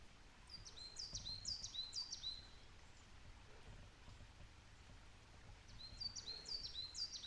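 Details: Coal tit singing: two bouts of high, sharp two-note phrases, each a quick rising-then-falling whistle pair repeated about four times, with a pause between bouts over soft low background noise.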